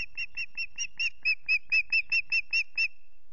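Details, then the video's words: Lone unringed female osprey at Loch Garten calling for her absent partner: thirteen penetrating whistled notes delivered evenly, about four per second, swelling in volume toward the middle. "Lonely Mistle calls for Axel but he's a no show, did she stay?"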